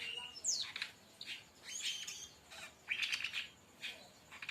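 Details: Brown-chested jungle flycatcher tutor song, 'tembakan' style, for luring or training birds: a steep falling whistle, then scratchy bursts and dense chattering trills repeated roughly every second.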